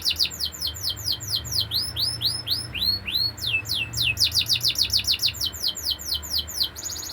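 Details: Canary singing a fast rolling song of repeated downward-sweeping whistled notes, grouped into quick tours that change pace, with a low hum underneath.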